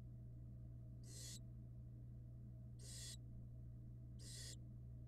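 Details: Florida barn owl nestlings in a nest box, hatched in February 2022. Three harsh, breathy hisses about a second and a half apart over a constant electrical hum.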